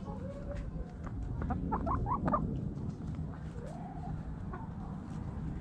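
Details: Chickens digging in the dirt give soft, low clucks and short rising tonal notes, a few scattered over several seconds above steady scratching and rustling from the ground.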